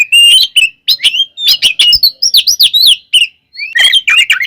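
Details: Oriental magpie-robin's fighting song, used to provoke other birds into agitation: loud, sharp whistled notes and rising-falling slurs with clicks, in quick bursts and a short pause near the middle.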